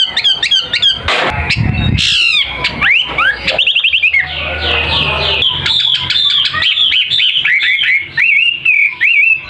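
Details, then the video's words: Gacor wambi, a caged songbird being sold, pours out fast chattering phrases, sliding whistles and sharp repeated chirps, mixed with brief low thumps and rustling noise near the start. "Mh wambi gacor"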